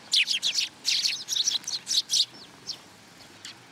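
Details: Sparrows at a Tenmangū shrine, 10 July 2022, gathering to be fed: a rapid cluster of bright chirps over the first two seconds, then a few softer, scattered notes.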